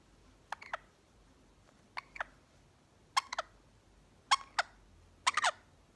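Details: A pet Quaker parrot (monk parakeet), jealous of a lorikeet, gives harsh, raspy squawks in pairs and short triplets, roughly one burst every second, over a quiet background.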